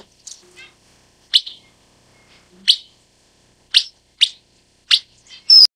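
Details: A broad-tailed paradise whydah (Vidua obtusa) gives sharp, high chips at irregular intervals, about six in as many seconds, with a few faint twittering notes between.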